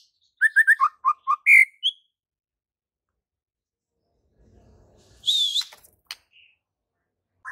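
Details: White-rumped shama in full, vigorous song: a quick run of whistled and chirped notes dropping in pitch, then a sliding high whistle over a short noisy burst, followed by silence.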